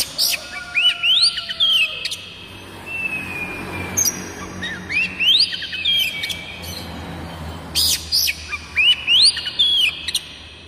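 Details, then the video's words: Village Oriental magpie-robin singing, played to trigger kacer birds into song; clear upward-sweeping whistles with short downslurs, repeated in phrases about every three seconds over a constant hiss. "Banyak kacer LANGSUNG BUNYI dengan suara khas kacer ini MASTERAN KUCICA KAMPUNG"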